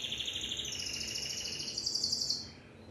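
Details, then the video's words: Timbrado canary delivering layered rolling trills. A steady high rattle rises in loudness, then fades out after about two and a half seconds. "تغريد كناري التمبرادو"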